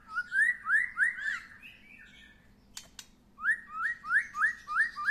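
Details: White-rumped shama after its first moult, being sunbathed; loud rising whistled notes repeated about every third of a second in two runs, separated by softer warbling and a couple of sharp clicks.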